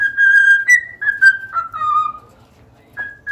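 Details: Clear cockatiel whistles, a long steady tone breaking into several notes that step gradually downward, then a pause and two short closing whistles.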